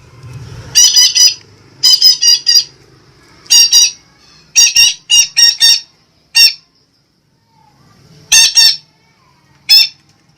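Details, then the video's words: Sumatran red-breasted parakeet lure sound for attracting birds: a long series of harsh, scratchy squawks in fast doublets and triplets, then single squawks after a brief silence. "SUARA BURUNG BETET SUMATRA PEMIKAT"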